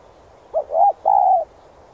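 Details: Spotted dove giving an urging coo used to stir up and train decoy birds: one low phrase of a short hooting note, a rising-falling coo and a longer, steady coo, in quiet surroundings.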